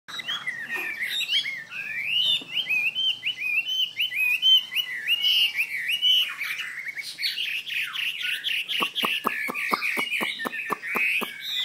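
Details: Chinese hwamei singing a rich run of loud, fluid whistled phrases that slide up and down, varied and melodious, ending with a quick series of sharp clicking notes beneath the whistles.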